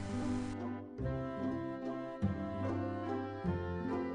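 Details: Orchestral music with sustained brass-like chords shifting about once a second, and no animal sound.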